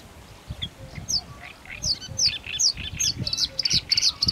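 Bluethroat song: a rapid, varied run of high chirps, sharp ticks and ringing notes, building toward the end, with low thumping noise underneath.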